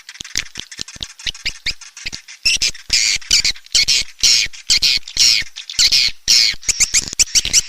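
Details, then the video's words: Swiftlet calling sound from Borneo, Raja Kalimantan type, played to attract swiftlets: rapid dry clicks at first, then harsh, buzzy high squawks and chatters alternating with clicks. "SUARA PANGGIL BURUNG WALET‼️ SP RAJA KALIMANTAN ‼️Suara Asli Pulau Borneo"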